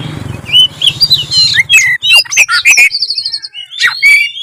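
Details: Oriental magpie-robin (kacer) singing in the gacor style, a constantly active singer: rapid run of clear whistles, slurred notes and chirps, high and varied, with a low hum at the start and short pauses between phrase bursts.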